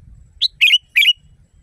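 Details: Sooty-headed bulbul phrase from a loud natural training recording for caged birds: one short high note then two rapid rich warbled bursts ending in a drawn-out whistle tail.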